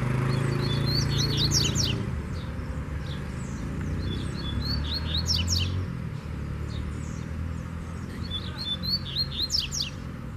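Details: Loose wild Double-collared seedeater confronting a caged bird with three brisk phrases of high, slurred whistles ending in quick rising strokes, roughly every three seconds, with a low rumbling hum underneath.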